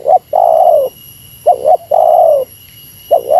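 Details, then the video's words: Spotted dove giving a meratus-style lure call against a rival: two clipped coos then a long, drawn-out coo sliding downward, heard twice, with the next phrase starting at the end. A faint steady high whine runs behind. "Suara Burung Tekukur Meratus Lawan 3 detik Lawan Turun Dari Paparan"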